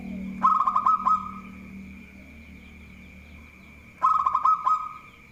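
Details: Local zebra dove repeating its song: a fast bright trill with clicking beats, given twice about three and a half seconds apart, with faint low murmuring between phrases.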